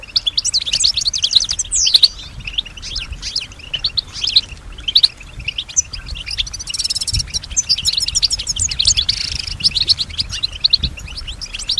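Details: European goldfinch, a kept bird said to imitate surrounding sounds such as other birds, whispers and human sounds; dense, high twittering with rapid trills and buzzy notes running almost without pause, several lines of chatter overlapping.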